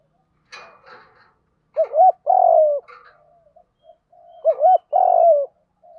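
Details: Spotted dove giving continuous fighting coos to lure wild doves: low hooting phrases of a wavering double note then a long drawn coo, repeated twice with soft short notes between.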